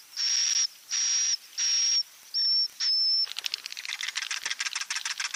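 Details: Swiftlet calls used as a lure to attract swiftlets to roost: five harsh, hissing buzzes, each about half a second long, then a fast, uneven run of dry clicking twitters.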